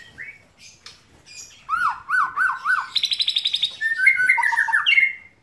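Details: White-rumped shama singing with imitations of lovebird and canary: varied whistled phrases, a run of arched slurred notes, a fast high trilled series, then loud looping whistles, delivered continuously and loudly.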